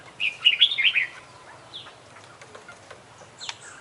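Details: Champion Oriental magpie-robin delivering one 'isian' phrase: a one-second rapid, warbling chatter of linked notes, followed by faint scattered chips.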